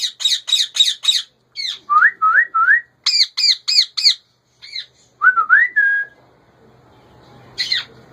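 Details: A male ringneck parakeet at home gives harsh, rapid repeated squawks in runs of four or five, alternating with short rising whistled notes, then quiet.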